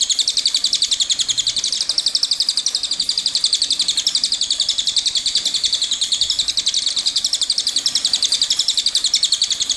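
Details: Cililin in full song, a long rolling song kept up for training songbirds: a rapid, high, even trill of buzzy notes, about four per second, running without a break to the end.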